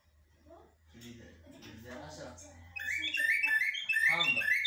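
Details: Common blackbird song in styles locally called blacksmith and military: after nearly three seconds of people talking, a loud run of bright whistled, warbling phrases bursts in and carries to the end.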